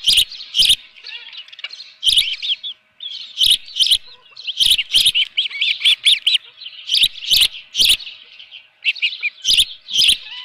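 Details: Osprey calling at its ranch nest one June morning in 2018 while a live fish is brought in: bursts of shrill, rising-falling whistled chirps with loud clattering thumps between them and a brief pause around three seconds.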